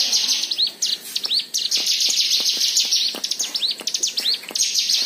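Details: Rich white-eye song used to stir other birds into song: continuous high, tinkling chatter with quick up-slurred whistles and sharp ticks, steady and dense throughout.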